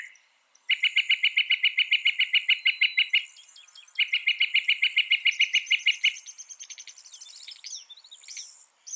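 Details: Northern mockingbird, described as able to copy 200 sounds, heard in a training recording: two long, even, rapid trills of clipped notes, followed by a jumble of scratchy varied notes, over soft insect hum.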